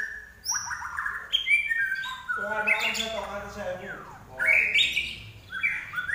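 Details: Common iora (larwo) singing vigorously: a varied run of loud whistled notes and downward sweeps, with a burst of buzzy, layered chatter in the middle, then sharp rising and falling whistles.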